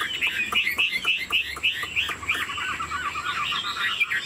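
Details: Song of a caged Hwamei, a bird described as 90% pure that flicks its wings and nods while singing. Rapid, varied whistled phrases tumble together in a busy, warbling stream with quick rising and falling notes.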